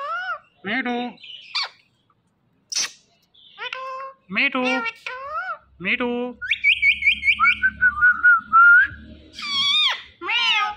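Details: Indian ringneck parakeet talking at home: bursts of nasal word-like syllables, a sharp click, then a quick stuttering run of short notes ending in rising whistled tones.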